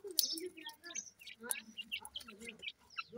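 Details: Grey francolin (dakhni teetar) chicks about one week old: a busy run of thin, high peeping chirps, some downslurred, overlapping from several birds, with soft low murmuring underneath.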